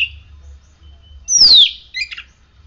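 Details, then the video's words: A kept oriental magpie-robin, conditioned by morning sunning and dew, delivers one long clear whistle gliding steeply downward, followed by a short scratchy chatter. "Kacer gacor hasil rawatan jemur pagi dan embun pagi ini buktinya"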